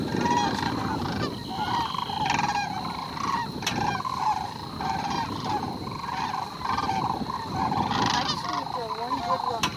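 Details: Sandhill cranes on migration in the Sonoran desert of Arizona: many birds giving overlapping rolling, rattling calls that carry on without a break, under a steady high hum.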